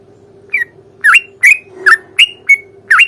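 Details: Sooty-headed bulbul singing a fighting song to provoke a response: spaced, liquid notes that dip then rise sharply, about two per second, over a steady low hum.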